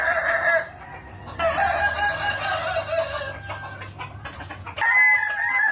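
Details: Kukuak Balenggek chicken, prized in Minangkabau for its stacked, multi-level crowing: overlapping loud crows with stepped, drawn-out syllables, and a fresh crow starting at the end, with background noise.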